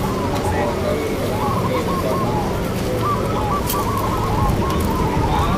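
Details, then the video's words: Zebra doves (perkutut) at a local singing contest held at Sleman City Hall, Yogyakarta, Indonesia, with entrants from other towns; soft rolling, rapidly pulsed coo phrases repeat over steady crowd chatter and traffic hum. "PERKUTUT SANGKIL JUARA😱LOMBA PERKUTUT LOKAL PIALA BUPATI SLEMAN JOGJAKARTA"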